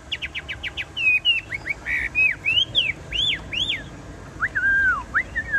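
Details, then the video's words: Caged tame Chinese hwamei singing: a quick run of short repeated upswept notes, then varied, rich whistles with loops and glides, ending in longer falling slurs. "Họa mi thuần đét đẳng cấp hót như máy bộ cực đẹp lắc lồng vẫn hót"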